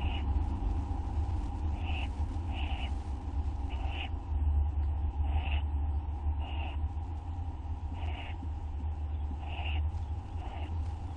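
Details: Owls during feeding time on a live camera, late night, 6 August 2011; a long run of short harsh screeches, often in pairs, over a loud constant low rumble.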